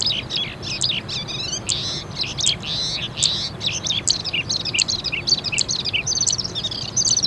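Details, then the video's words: Crested lark singing in Islamabad, Pakistan: a loud, varied run of high, clear whistled and slurred notes, some rising and falling, delivered in quick successive phrases over faint background hiss. "Crested Lark Singing Bird"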